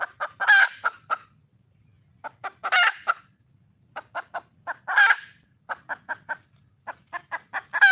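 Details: Red junglefowl hen in the wild calling for a male, giving short groups of sharp clucks that lead into three loud, rough, drawn-out squawks spread across the recording.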